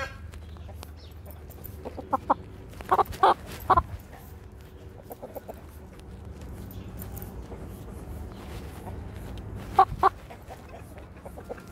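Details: Brahma rooster on the attack, giving short harsh clucking bursts in quick groups near three and ten seconds, with long quiet gaps and a steady low rumble of background noise.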